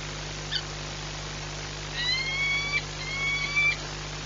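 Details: One of a breeding pair of Peregrine falcons at a nest on an industrial site in Płock, Poland, on 4 April 2022, during frequent nest changeovers, gives two drawn-out, slightly rising wailing notes over a steady low hum.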